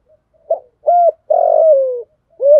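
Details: Decoy female spotted dove calling to attract males in the 'thổ pha' voice with one closing note. Four low hollow coos: a brief note, a level coo, a long buzzy coo gliding down, then a clipped last coo.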